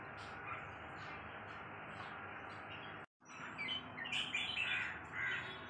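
Red-whiskered bulbul giving short, bubbly chirping phrases in the second half, over a constant hiss of background noise.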